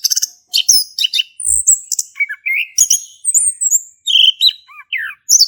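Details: Male orange-headed thrush from Indonesia in full 'ngeplong' song, used to prompt silent thrushes to sing: rapid varied phrases of high chirps, sharp slurred whistles and short rising notes, with brief pauses between bursts.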